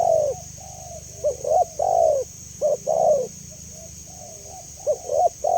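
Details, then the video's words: Spotted dove giving soft repeated coos, short clipped notes followed by longer downward-bending phrases, in two bursts separated by a pause; low rumble and constant high hiss behind. "Suara Jernih Burung Tekukur"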